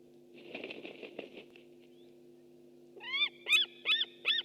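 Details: White-tailed eagle recorded by a webcam in Estonia on 6 August 2015: soft rapid rustling pulses, then four loud downslurred whistled yelps with bright harmonics, roughly one every half second, over a steady low electrical hum.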